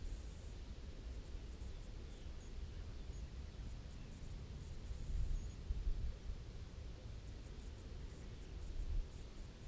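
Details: Steady low rumble of wind or distant traffic with faint hiss and no animal calls.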